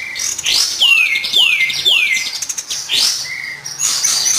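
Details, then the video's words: Lure song of the kapas tembak for training birds: three bright descending whistles in a row, then busy high chirping and trilled phrases with short even whistled notes. "Pancingan Kapas tembak"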